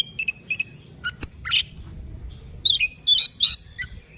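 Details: Oriental magpie-robin singing in the morning: a loose run of whistled and chirping notes, some sustained, some sharp and buzzy, set apart by brief pauses, over faint low background hum.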